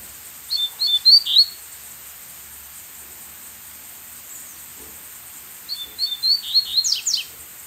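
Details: Wild brown-plumaged Double-collared Seedeater perched above in another seedeater's territory, answering a captive decoy from a distance: two short phrases of quick high whistled notes separated by quiet, over a steady high hiss.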